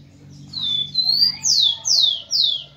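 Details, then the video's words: {'caption': 'Tico-tico male song meant to excite females: a pair of drawn-out level whistles followed by three strong descending slurred notes, evenly spaced; faint low hum underneath.'} "ESQUENTE seu TICO-TICO no Máximo e ESTIMULE suas FÊMEAS a aprontar!"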